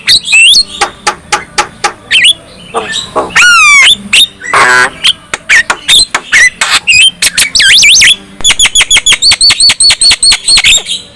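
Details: Black-winged myna singing loudly in a varied chattering stream: sharp repeated clicks and whistles, wavering rising trills, harsh squawks and rapid metallic notes in quick bursts, used to provoke other black-winged mynas into singing.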